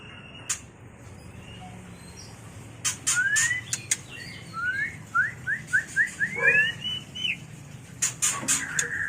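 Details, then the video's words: White-rumped shama, a mating call used to train and lure birds: a run of rising whistled notes in quick series after scattered clicks, with sharp clicking bursts before and after. "Suara murai batu kawin paling ampuh untuk terapi dan pikat burung agar cepat gacor"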